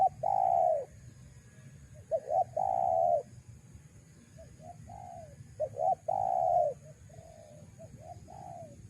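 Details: Spotted dove call used as a lure for wild doves: loud cooing phrases, two short rising notes then a long drawn coo, repeated every few seconds with softer coos between; steady low hum underneath.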